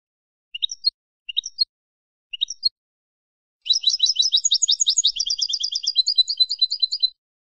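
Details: Wild-type European goldfinch song meant for training captive birds: three short, thin, twittering note pairs, then a long, rapid, tinkling, buzzy trill lasting over three seconds.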